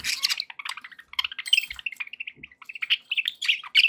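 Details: Caged pet budgerigars giving quick repeated chirps and twittering notes, some clearer whistled tones among scratchy chatter, about three notes a second.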